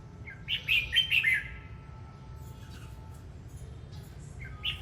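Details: Red-whiskered bulbul song with one rich phrase of rapid warbled notes in the first second and a half, a quiet gap, then the start of another phrase at the end; faint hum behind.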